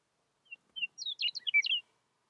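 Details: Meadowlark singing in spring in Yellowstone, 2020, amid late snowfall: two soft, clear whistles, then a quick jumbled flurry of high, flutey gurgling notes, the phrase under two seconds, with no other sounds.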